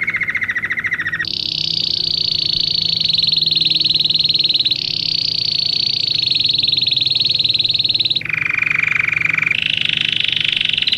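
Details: Training song of a Belgian canary. A short lower roll leads into long, very rapid high trills, followed by a drop to a lower pulsed tour and a return to a high buzzy phrase.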